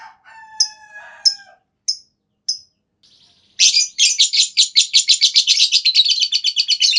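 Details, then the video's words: Lovebird lure call to set others into long chattering: a few scattered chirps and a lower tonal note, then a sustained fast, buzzy trill of high notes for over three seconds. "Tanpa Nunggu Lama Burung Lovebird Lain Bakal Langsung Ikut Ngekek Panjang!"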